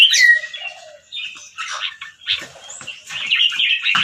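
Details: A caged competition-line albino Red-whiskered bulbul from Chonburi, Thailand, white with red eyes, in training song. Scattered bright whistled and chattering phrases, broken by quieter gaps and a soft lower whistle early on.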